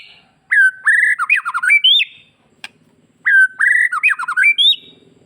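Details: White-rumped shama, Bali type, singing a rich gacor phrase used to make other shamas respond: a loud whistled slur into quick descending notes and upward sweeps, a pause with a click, then the same phrase repeated.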